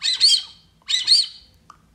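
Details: Brazilian teal, a recording played back to attract the bird, giving two high whistled double notes, each a pair of arched squeaky slurs, nearly a second apart, with a faint click near the end.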